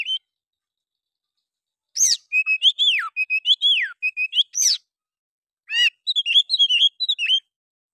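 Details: Oriental magpie-robin's emotional fighter song that stirs other birds into opening their tails: after a silent start, a burst of level whistles and deep downward slurs, then a sharp rattle-like note and rapid jumpy chirps.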